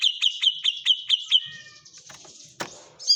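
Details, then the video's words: White-rumped shama song with kapas tembak fill: about seven clear, evenly spaced high chips, followed by soft trailing whistles and quiet high rattles. "suara burung murai batu isian kapas tembak"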